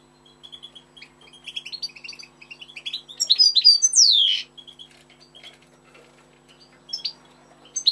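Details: European goldfinch, recorded 25 October 2013, in a lively twittering song: jangling chirps and trills build to a loud, sweeping downward slur, then softer chatter continues, with a low constant hum underneath.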